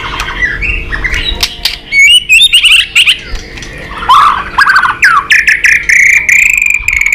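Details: White-rumped shama singing a long fighting song to provoke a rival, with tail-flicking: loud, fast and varied, mixing rattling trills, swooping whistles and harsh squawky notes, ending in a sustained rich warble.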